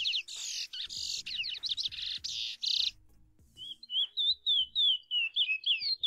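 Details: Chestnut-bellied seed finch (curió) song, a classic praia-style tutor recording demonstrating serra mateira: a rapid run of high, rasping sawing notes, then clear whistled, slurred notes repeated about three per second.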